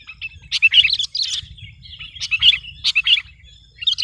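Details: Sooty-headed bulbul singing to dominate rival birds: fairly soft, liquid, chattering phrases in short clusters about every second, with a steady low hum behind.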